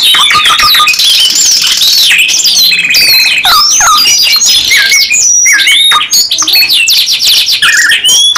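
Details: Canary in full gacor nembak panjang song, delivering long continuous bursts: a nonstop mix of high slurred whistles, rattling rolls and quick chirped notes, loud and close, with no pause across the clip.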